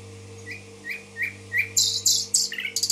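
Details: A Tashkent nightingale gives a slow series of five rising whistled notes, then explodes into loud, harsh high chirps and a quick stuttering finish, over a low hum.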